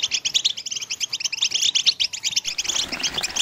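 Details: European goldfinch mating song of the twittering styles called betbta and stsesta: a fast, dense run of bright, tinkling chirps and trills, high-pitched and unbroken, with a slightly quieter, sparser stretch near the end.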